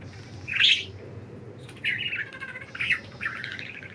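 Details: Budgies enjoying freedom out of the cage: a loud rasping chirp, then three short bursts of buzzy, warbled chattering after a pause, over a faint low hum.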